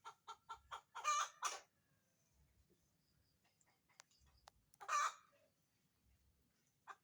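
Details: Chicken laying an egg: a burst of rapid clucks and two loud, harsh squawks, then near silence broken by faint clicks and one more loud squawk.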